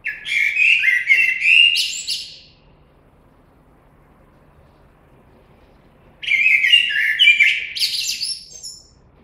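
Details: Common blackbird singing two rich, warbled fluting phrases, each closing in a squeaky high twitter, separated by about four seconds of quiet; faint low background hum.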